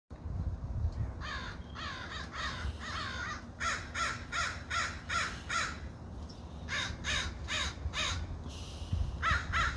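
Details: Crows giving harsh, hoarse caws in rapid, uneven series, several birds overlapping, with a steady low rumble of background noise throughout.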